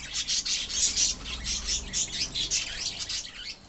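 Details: Budgerigars from a love birds colony produce a run of rhythmic chirps and raspy warbles in quick bursts, separated by short dips, with a faint low rumble beneath.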